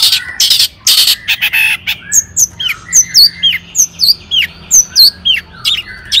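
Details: Long-tailed shrike 'toet toet' lure song to excite other shrikes: opening harsh scratchy bursts, then regularly spaced sharp hooked whistles alternating high and lower, roughly two per second.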